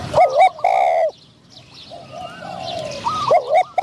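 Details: Decoy Spotted dove luring a wild dove of middle-pitched voice during trapping; two loud, harmonic coo bursts open the passage, then softer distant cooing, then another looping coo phrase near the end.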